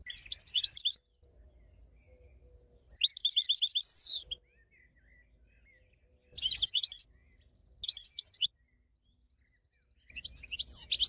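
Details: European goldfinch song: five short bursts of fast, liquid twittering and tinkling notes, each under a second or so, separated by quiet pauses, with one buzzy rising slur in the second burst.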